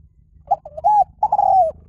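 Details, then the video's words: Spotted dove song in the Liw Tan style, played to lure and train doves to answer. Soft, mellow cooing: a short coo, a few linked notes, then a long drawn coo that slides slightly downward, with a quiet hum beneath. "สำหรับเปิดล่อนกเขาใหญ่ฝึกต่อ ให้ขันโต้ตามเสียงนกเขาใหญ่หลิ่วตัน"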